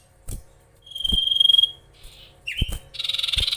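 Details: Magpie-robin song used to provoke rival birds: a long pure whistle held near one pitch, a short buzzy phrase, a swooping note, then a rapid harsh pulsing trill, with soft knocks between.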